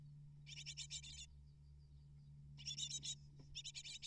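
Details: Great tit chicks, eight nestlings fed by both parents, begging in three short bursts of fast, high, scratchy chirps separated by quiet pauses, with a low steady hum beneath.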